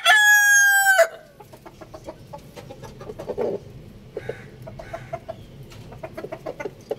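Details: Rooster crowing, one of two birds: the loud, harmonic-rich tail of a crow drops off after a second, followed by scattered soft clucks and short pecking-like notes from the flock.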